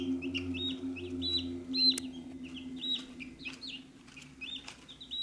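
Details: Chicks at a feed dish give frequent thin, high, downward peeps, several overlapping, with sharp taps of pecking and a steady low hum.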